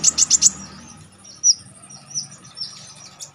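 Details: Konin singing sharply, a recording used to tutor contest songbirds: four rapid piercing high chirps, then spaced thin whistled slurs and twitters.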